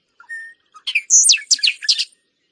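A Bobolink's song opens with a few simple, thin notes, then breaks into a rapid, bubbling jumble of high metallic, tinkling phrases.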